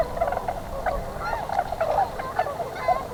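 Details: A gathering of Tundra Swans at a spring stopover near Pinery Provincial Park, Ontario, bound for northern breeding grounds. Soft, repeated hooting notes pulse under occasional higher yelps in a steady flock murmur.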